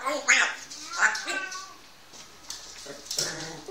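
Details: One-year-old pet grey parrot talking indoors in a small room: two loud, speech-like harmonic utterances in quick succession, then softer chattering syllables and a final sharp burst, with household voices around.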